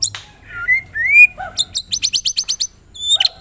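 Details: White-rumped shama song used as a lure for caged birds: rising clear whistles lead into a rapid string of about ten high, sharp, evenly spaced notes, followed by a short chirp.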